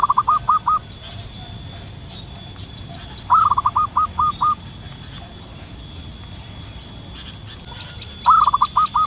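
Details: Local wild zebra dove calling eagerly as a lure: three phrases of rapid staccato coos, each of five or six notes, spaced roughly four seconds apart, with scattered faint chirps from other birds.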